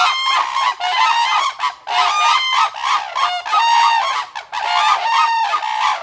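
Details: A pair of black-necked cranes calling loudly toward a neighbouring pair of red-crowned cranes, a territorial display of their pair bond; dense overlapping trumpeting, honking calls with rich harmonics, coming in bursts separated by brief pauses.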